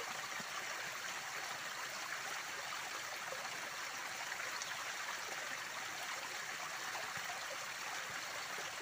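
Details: Continuous hiss of a rushing stream or waterfall, with no animal calls heard.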